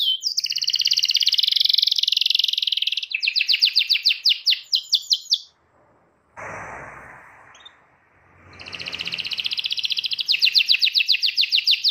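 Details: Domestic canary song played to tutor young canaries learning to sing: high buzzy trills and rapid repeated notes, interrupted midway by a short silence and a burst of rustling noise, then fast trilling resumes to the end.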